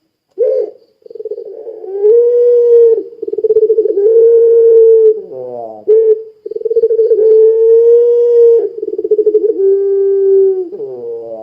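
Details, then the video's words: Puter pelung Barbary dove calling loudly to draw other doves into song: repeated phrases, each opening with rapid throbbing pulses and stretching into a long sustained hollow coo, separated by brief rattly, nasal notes. "Suara Burung Puter Pelung Gacor Sangat Ampuh Menjadikan Puter Lain Ikut Bunyi"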